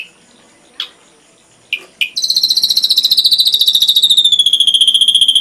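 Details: Ashy drongo, full-repertoire tutor recording for songbirds: a few separate sharp notes, then a long, fast, bright trill that eases slightly lower in pitch.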